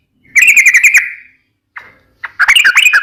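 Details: Sooty-headed bulbul, trucukan, kept as a songbird, delivering a quick run of even chirps, a single soft note, then a busier chattering phrase of mixed notes.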